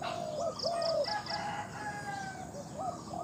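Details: Spotted dove held as a captive decoy for luring, giving a couple of rich sliding coos at the start, then fainter coo notes, while a high four-note chirping and other bird calls continue behind.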